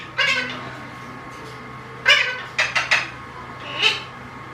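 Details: Alexandrine parakeet known for talking gives a run of hoarse, nasal bursts: one opening cry, then a cluster of three quick clipped notes and a final rasping call, over faint room hum.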